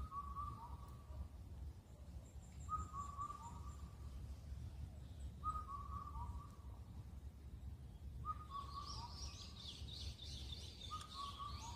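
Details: Wild Indian cuckoo, Cuculus micropterus, at Cheonmasan, Incheon, Korea, a late-spring all-night caller: five steady whistled four-note phrases, last note falling, repeated roughly every three seconds, with high thin notes and busy chatter from other birds.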